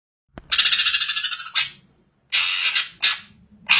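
Greater green leafbird giving harsh, rasping chatters: a rapidly pulsing burst of about a second, then several shorter scratchy bursts. No other sounds stand out.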